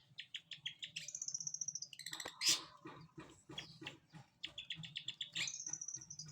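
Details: Long-tailed shrike bathing in the morning, with quieter rapid repeated clicking notes, long thin high whistles and a dense jumble of chattering phrases over a low background hum.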